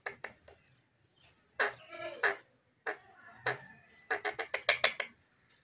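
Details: A pet Indian ringneck (rose-ringed) parakeet mimics human speech in short, speech-like bursts, ending in a faster run of clipped syllables, in a quiet room.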